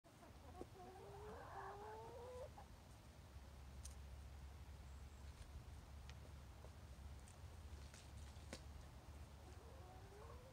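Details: Chickens clucking: a few drawn-out, slightly rising tonal calls early on and another near the end, quiet against a steady low hum and scattered clicks.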